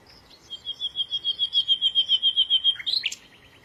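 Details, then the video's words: Bird giving a steady, high, rattling trill of about fifteen evenly repeated pulses over two seconds, ending in a few sharp twisting notes and a faint fading trill. "تغريد العصافير"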